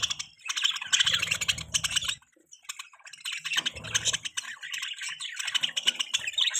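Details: Pet budgerigars keep up a busy stream of high chattering chirps, pausing briefly mid-clip, with occasional low rumbling bursts underneath.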